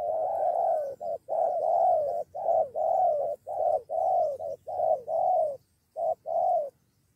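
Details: A spotted dove gives a fast run of about a dozen soft, mellow, rounded low coos, some slurred together, as a wild bird brings a companion against a decoy dove and a two-on-one fight nearly breaks out.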